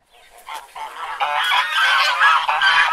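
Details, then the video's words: Domestic geese honking, starting quietly and building into a dense, continuous chorus of harsh, nasal honks from several birds overlapping through the second half. "Domestic Geese Sound"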